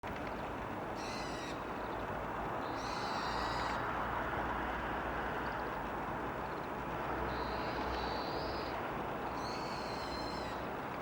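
Daurian redstart giving thin, high call notes in four short bursts a few seconds apart, over constant loud rushing background noise.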